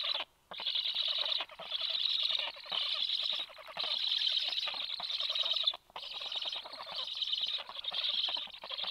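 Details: Black storks at a nest on 26 July at 9:40, as the male arrives shortly after the female and brings fish to the chicks; harsh, wheezy hissing bursts repeat roughly once a second, split by brief silent gaps.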